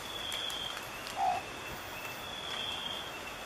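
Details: A long-whiskered owlet, recorded at Fundo Alto Nieva near Abra Patricia in northern Peru in March 2014, gives a single short, mellow whistled note against a steady high insect drone.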